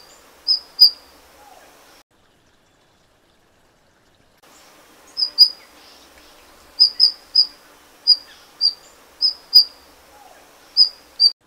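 Golden bush robin giving thin, very high, sharp call notes, singly or in quick pairs, about a dozen in all, over a soft background hiss.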